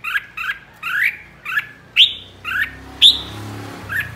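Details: Red-whiskered bulbul flock leader singing 'ché': a string of eight sharp, rising chirps at uneven half-second intervals, two of them louder and higher, over light background rumble.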